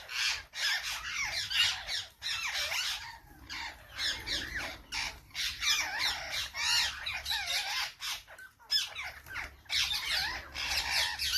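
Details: Parrots calling together in a noisy stream of harsh, shrill squawks, with brief pauses between chattering bursts.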